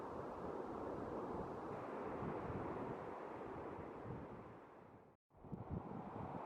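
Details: Steady roar of strong wind buffeting the microphone, mixed with surf-like rushing, then a brief dropout near the end; no animal voices can be picked out.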